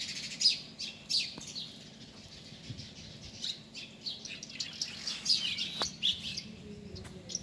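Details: Birds calling outdoors with scattered high, sharp chirps and short twittering bursts, irregularly spaced, several notes overlapping, over a faint low background rumble.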